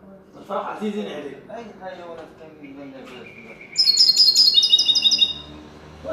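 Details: Common linnet trained to sing the goldfinch's song: a bright, rapid burst of high twittering notes rings out for about a second and a half, after a stretch of lower murmuring sounds.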